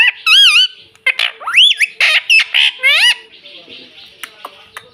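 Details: Talking pet ringneck parrot, said to say "mummy" and "mitthu": loud, rich, wavering harmonic cries and rising slurred notes in a quick run of bursts, fading to soft chatter.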